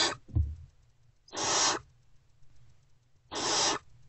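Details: Hungry great horned owl owlets hiss at an adult's return to their nest box, early morning of 3/3/24. A soft knock is followed by two spaced, rasping hisses about two seconds apart over quiet background.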